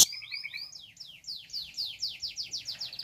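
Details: Long-tailed shrike song used to stir up other shrikes: a fairly quiet, steady series of sweeping downward-slurred whistled notes, about four per second, over a faint low background hum.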